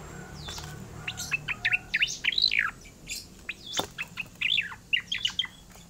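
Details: Oriental magpie-robin singing a rolling song: rapid varied whistled phrases, sharp upslurs and downslurs tumbling one after another for about six seconds, loud and continuous, over faint background chirping.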